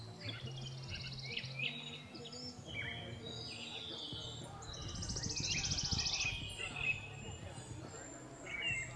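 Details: House sparrows at Aguas Calientes, Potosí, Bolivia, in April 2023 chirp and cheep in quick, uneven bursts, with busy twittering rising at times; low rumbling background noise and faint voices underneath.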